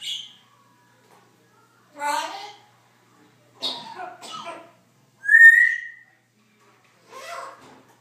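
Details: A pet Congo African grey parrot mimics speech in short bursts: word-like syllables, a clear rising whistle and clicks, spaced about every one to two seconds.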